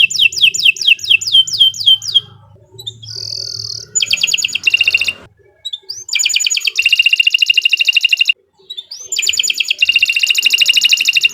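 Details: Caged canary singing a long, lively song meant to prompt other canaries to sing: a run of falling whistled sweeps, a steady pure whistle, then fast buzzy rattling trills broken by brief pauses.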